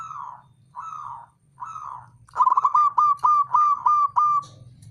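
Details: Male zebra dove, a local bird, calling: three slow, soft, slurred coos, then a fast clipped series of seven ringing notes at the same mid pitch, each dipping slightly, ending abruptly.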